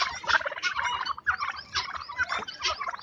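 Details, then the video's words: Farm turkeys, a group of seven or eight, fighting among themselves; loud rapid gobbling bursts repeated about every half second, rattling and harsh, with overlapping chatter throughout. "Turkey Fight it's Very Different fight than other Birds"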